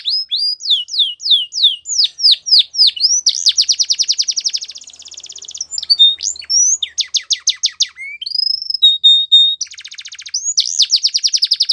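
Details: Training song of a Belgian canary for young canaries, a varied high song of quick repeated downward sweeps, rapid trills, buzzy rolls and steady whistled notes, phrases switching every few seconds.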